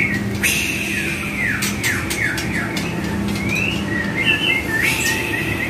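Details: White-rumped shama (murai batu) training song: scattered whistled slurs, some dipping and some rising, among repeated sharp clicks and snaps, over a steady low hum.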